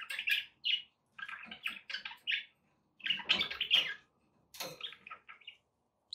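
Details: Pet budgies giving clusters of raspy chirps and buzzy warbled notes separated by short silences, some notes louder and harsher.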